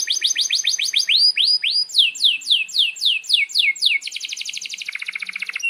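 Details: Canary singing a long rolling song meant to train young birds and stir quiet ones: rapid repeated upward-sweeping chirps, slowing to broader swoops, then ending in a dense, very fast buzzing trill.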